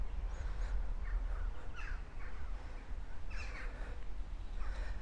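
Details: Birds thought to be crows give harsh, rasping caws in scattered bursts, about seven in five seconds, some overlapping, over a steady low wind rumble in the Falkland Palace garden.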